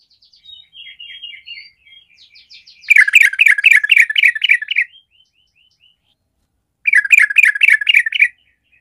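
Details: Fighting-spirit song of a sooty-headed bulbul, offered to rouse lazy birds: soft, descending, twittering notes lead into a loud two-second burst of rapid, harsh, bubbling chatter, a pause with faint whistles, then a second burst.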